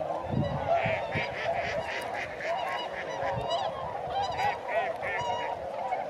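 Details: Tundra swans on the wing over Sakata, Japan, in early November 2018. A constant chorus of mellow honks with clear, ringing upper notes repeats rapidly from many birds, over light low rumble.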